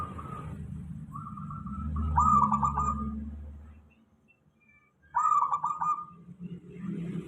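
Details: Local zebra dove singing, played as a lure to draw replies from other doves: two rolling, bubbling coo phrases about three seconds apart over a low rumbling background.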